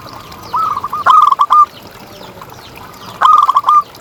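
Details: Zebra dove of contest quality, kept as a tutor bird to rouse silent doves: a short run of quick stuttering coos, then a louder clipped phrase, repeated once more after a quiet gap.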